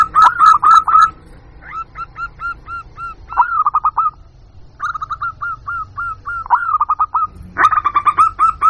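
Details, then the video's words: Lure call of a local zebra dove, meant to attract wild birds: loud bursts of quick, vibrating coo notes alternating with steadier evenly spaced coos, separated by short pauses, faint low rumble beneath. "Suara Pikat Burung Jitu Perkutut Jamin Nyaut Kutut Lokal"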